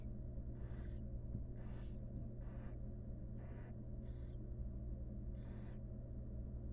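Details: Wild barn owls in a monitored nest box, a mother grooming her chicks. Breathy, rasping hisses come about once a second in short bursts, over a constant low electrical hum.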